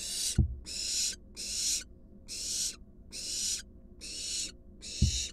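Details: Barn owl fledgling, wild, in a research nest box while an adult brings a big rat. Seven drawn-out, hoarse hissing screeches repeat evenly, with two dull thumps.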